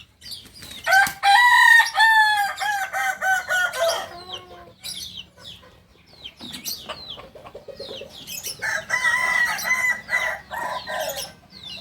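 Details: Kukuak balenggek rooster from Solok, West Sumatra, crowing twice: each is a long, multi-part call of ringing harmonic syllables lasting about three seconds. Softer clucking and chirping fill the gap between the two crows.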